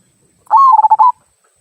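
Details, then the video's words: Zebra dove of a local strain giving the "kung" song, used to prompt other birds to sing: one crisp, rolling, stuttered coo of several fast throaty pulses, otherwise quiet. "Perkutut Lokal Suara Kung, Cocok Untuk Pancingan"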